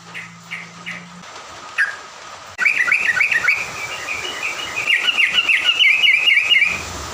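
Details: Songbird used in the morning to make other birds emotional: a few spaced chirps, then a sudden, loud, rapid twittering song of high trilled notes that runs for several seconds over steady hiss.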